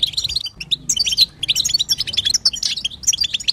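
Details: European goldfinch female sitsita chatter to encourage a male to sing: a quick flurry of high, sweet, rapidly repeated chirps with a tiny break near half a second.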